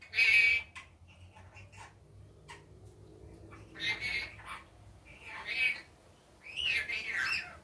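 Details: Rainbow lorikeet during the day uttering loud, harsh, high screeching calls in irregular bursts, with softer chattering notes between them.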